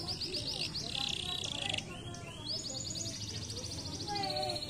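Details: Canary song for stimulating lazy canaries to sing: rapid high repeated notes, a buzzy sustained trill, then a long even rolling trill, over a noticeable low background hiss.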